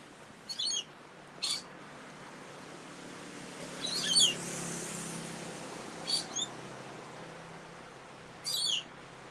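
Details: Hidden rainbow lorikeets in lakeside trees on an early-morning walk give harsh, high, screechy chirps in five short bursts a second or two apart, over a steady outdoor hiss.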